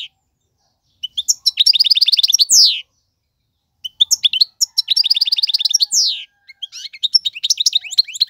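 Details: Male European goldfinch singing for fledgling tutoring, in three separate bursts split by pauses, each a rapid trilled run of buzzy notes ending in a downward slur, the last more scattered twittering.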